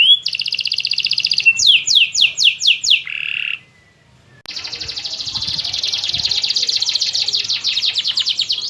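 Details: Master canary song from a champion bird: a buzzing trill and falling chirps, a short flat note, then a near-silent pause before a long, fast, dense trill resumes.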